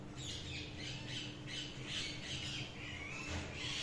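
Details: Budgerigars chirping: a continuous run of scratchy, warbled chirps and chatter at moderate volume over a steady hum and background hiss.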